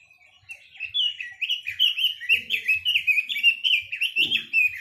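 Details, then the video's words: Chinese hwamei in full song: a continuous, loud stream of clear whistled and slurred notes, quickly repeated and varied, with faint low sounds in the background. "Tiếng chim quế lâm"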